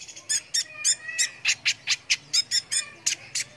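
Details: Active brown-throated sunbird singing for contest-bird training: evenly paced, harsh high chirps roughly four a second, each a short buzzy stroke, continuing steadily throughout.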